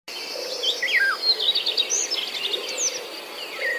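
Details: Young birds chirp in their nest while the mother is away searching for food; high, thin, quickly rising and falling chirps and squeaks tumble over one another, with a steady insect-like hiss running underneath throughout.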